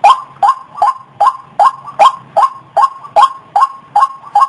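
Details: White-breasted waterhen call used as a lure: loud, ringing notes, each with a short rising start, repeated in a steady rhythm about every 0.4 seconds, with no other sounds.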